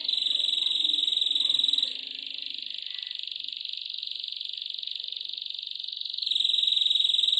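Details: Captive black-throated canary (Crithagra atrogularis) singing a continuous high, rapid trill that softens slightly midway and swells again at the end, with no other sounds.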